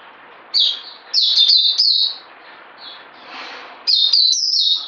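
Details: Bird given a health supplement, delivering bursts of high, thin twittering notes, a short phrase, a longer trilled run, then quieter gaps with soft background noise before a final rapid high-pitched burst.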